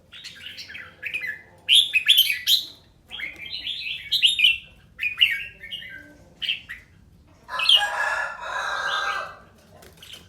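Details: Red-whiskered bulbul practising its song, pouring out a run of rich whistled and warbled phrases in quick succession, ending with a harsher, noisy burst.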